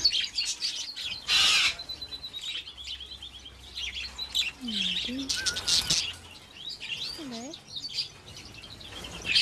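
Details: A wild flock of budgerigars in the Australian outback keeps up a steady stream of high, scratchy chirps and warbles, rising in dense bursts, with a man's narrating voice underneath.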